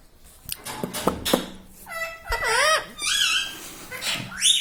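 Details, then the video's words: A pet parrot known for saying "Mummy" and "Papa" starts with scattered knocks, then gives a run of clear, wavering, harmonic utterances that rise and fall, ending in a high squeaky phrase, indoors. "Talking Parrot"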